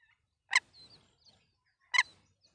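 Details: Red-wattled lapwing, locally called Titehri, a mother sitting on camouflaged eggs near a school at Mount Abu, calling to her chick: two short, loud, shrill harmonic notes about one and a half seconds apart, with faint softer chirps between them.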